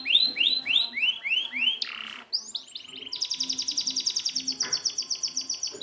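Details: Canary singing as training material for silent canaries: a string of rising swept notes, a brief rough burst, then a fast, even, high trill repeated about four times a second, with faint low sounds underneath.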